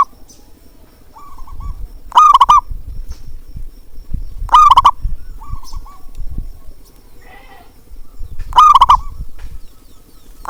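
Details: Zebra dove call for encouraging quiet birds to sing: three loud, rapid, stuttering coo bursts spaced about three seconds apart, quieter coo phrases between them, and a low rumbling background.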